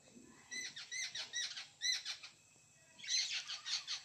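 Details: Harsh, nasal jungle babbler notes repeat roughly every quarter second, pause briefly, then resume in a denser chattering run. Recorded in Konkan, India.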